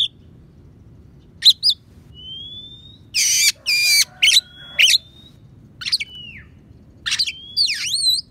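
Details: Training song of an Oriental magpie-robin with imitated sparrow and prinia phrases: thin sliding whistles, harsh buzzy bursts, sharp chirps and a looping wavering whistle, high-pitched over a faint low hum.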